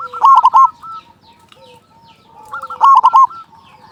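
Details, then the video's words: Zebra dove of a local type with a big voice, played to provoke other doves into song: two loud bursts of quick stuttering coos about two and a half seconds apart, with faint low coos between. "Perkutut lokal gacor suara besar pancingan burung perkutut agar cepat bunyi"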